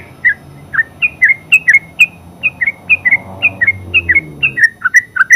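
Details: Yellow-vented bulbul, called terucuk in Javanese, in ngeropel song: a string of clear, sliding whistled chirps, about two each second, over soft low noise.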